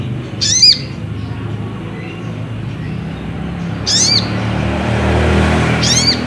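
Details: Ruby-cheeked sunbird (sogok ontong) lure song played to provoke another bird into singing: three thin, high, slurred whistled notes spaced a few seconds apart over a low steady hum.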